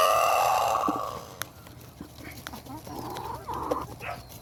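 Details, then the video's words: Rooster wearing a rooster collar: a loud, harmonic crow note that fades out within about a second, then a softer, muffled drawn-out note near the end, with scattered clicks and low background hum. "Rooster Collar- How Does the Crow Sound?"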